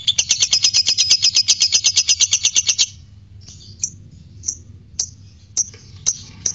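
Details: Fighter lovebird chattering ngekek, a song meant to excite other lovebirds into courtship and singing; a fast, bright pulsed trill for about three seconds, then scattered short sharp chirps after a brief pause.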